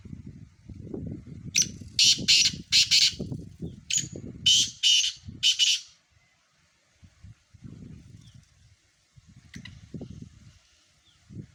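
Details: Harsh, scratchy call of a black francolin: about eight rasping notes in a rapid, uneven run lasting several seconds, set against steady low wind-like rumbling that continues after the calling stops.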